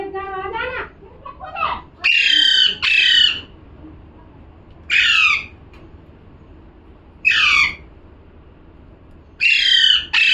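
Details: A parrot calls with a mix of harsh screeches and shorter downslurred squawks, spaced a few seconds apart, with softer rasping notes at the start.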